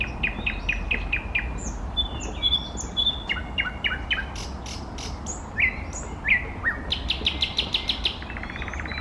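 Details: A singing eastern nightingale delivers a row of repeated sharp notes, short level whistles, descending slurs, and a closing series of quick high strokes that speeds into a rapid trill; faint low rumble underneath.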